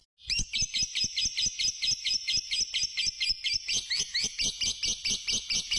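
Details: Fighter-type lovebird giving a long 'ngekek' trilling song used as a lure to stimulate other lovebirds; shrill chattering notes repeat about twice a second in a steady, unbroken run, growing slightly harsher toward the end.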